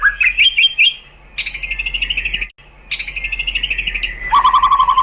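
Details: White-rumped shama song played to spur other shamas into singing: quick whistled notes, then two stretches of buzzy rattling phrases separated by a brief silence, ending in a fast run of lower repeated notes over faint background hum.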